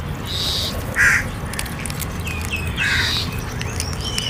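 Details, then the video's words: Crow calling while being fed: a strong harsh caw after one second, then another pair of calls near three seconds, with faint high chirps and low background rumble. "Crow Sounds For Food"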